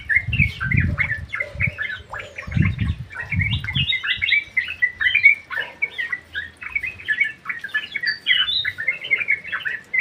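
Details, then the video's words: Yellow-vented bulbuls in an aviary singing energetically, with busy overlapping chirps and slurred whistles filling the whole stretch and occasional low thumps in the background. "KICAU BURUNG TRUCUK GACOR 👍 Di DALAM AVIARY"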